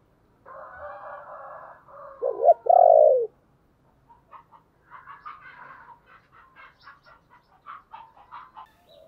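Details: Lure 'chìm' call of a spotted dove, meant to rouse decoy doves: a droning tone leads into two loud, deep, falling coos. Afterward a run of quick, thin chirps from small birds fills the rest.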